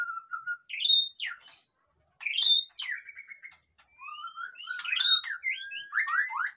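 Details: White-rumped shama, a captive bird, singing a noisy song used to stir lazy birds into singing: varied whistled phrases, sharp rising sweeps and rapid chattering notes in bursts, with a short pause near two seconds.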